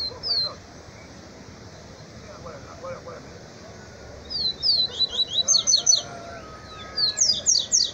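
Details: Double-collared seedeater (papa-capim) singing duel: bursts of rapid, high, thin down-slurred whistles repeated in quick series, with a quiet gap and faint low voices early on.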